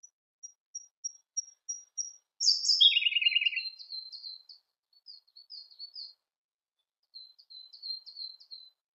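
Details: Siberian blue robin song: a run of thin, evenly spaced high ticking notes, then a loud burst that drops into a fast, lower rattling trill, followed by softer high twittering phrases.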